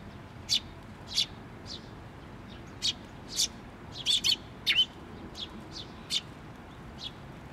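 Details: Young bird perched on a post at a Tenmangu shrine, 16 May 2023, calling while a parent comes back; piercing high chips at uneven intervals, clustering into a quick flurry near the middle, with steady low rumble behind.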